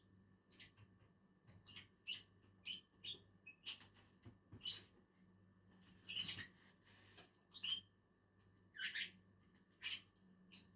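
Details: Two lovebirds eating on a tree give sharp high chirps roughly every second or so, some harsher and louder, with light rustling and a low hum.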